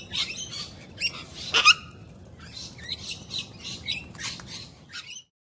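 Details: Wild Australian sulphur-crested cockatoos, friendly birds visiting for food and attention, give harsh, scratchy calls in short bursts about every half second, with one louder raucous screech near the middle and a soft background hum.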